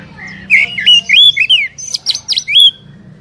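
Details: Song of a captive Oriental magpie-robin, recorded to encourage a kept bird to sing: a fast jumble of slurred whistles and harsh chattering notes for about two seconds, then quiet.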